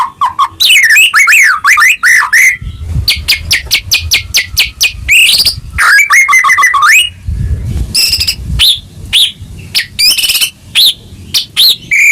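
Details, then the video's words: Singing White-rumped shama played to rouse caged birds that have stopped singing: rich looping whistles, a sequence of fast even clicks, rising whistled sweeps and scattered sharp high notes, over patches of low rumbling noise. "Pancingan Murai Batu Macet Bunyi Langsung Gacor Dor"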